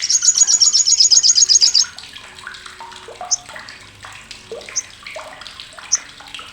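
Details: Sriganti, the olive-backed sunbird, with a keen, harsh chatter serving as a tutor for contest birds: an opening burst of quick piercing notes for nearly two seconds, then sparse single chips over water-like noise.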